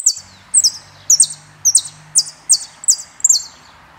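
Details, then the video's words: Saffron finch, called jilguero in Argentina, repeats high, buzzy, doubled chirps about every half second over a faint low hum. "JILGUERO ARGENTINO"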